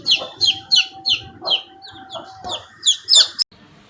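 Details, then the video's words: Chicks giving rapid bright peeps, falling in pitch, with a steady tone running beneath for part of the time before the sound cuts off abruptly. "The sound of the chicks is very sweet"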